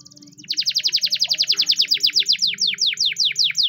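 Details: Timbrado canary singing a training song: after a brief soft trill, loud rapid downslurred high notes repeat evenly, slowing slightly toward the end, with a low background hum.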